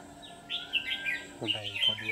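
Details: Red-whiskered bulbul of the ché style kept as a trapping decoy: lively warbled whistles in short rolling phrases, overlapped by a man's voice talking partway through.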